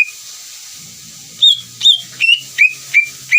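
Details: Greater green leafbird song meant to goad another leafbird into replying: six loud whistled notes, the early ones higher and later ones dropping in pitch, spaced under half a second apart over a steady hiss and faint low murmur.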